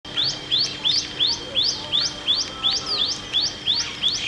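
Asian green bee-eater giving a rapid series of short, high, trilled chirps, about three each second, with a steady faint hum underneath.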